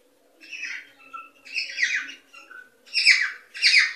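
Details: Cockatiel song played to stimulate breeding in cockatiels; harsh, buzzy squawking phrases with stacked harmonics alternate with short clear whistles, in bursts about every half second to second, indoors.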